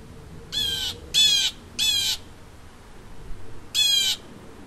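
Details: A vocal bald Blue Jay in a neighbourhood gives harsh, raspy jeer calls: three in quick succession, a pause, then one more, over a faint low background hum.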